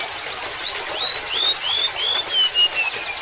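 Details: Golden-bellied gerygone phrase of clear slurred whistles descending steadily in pitch, about nine notes in three seconds, heard over continuous gentle water trickle.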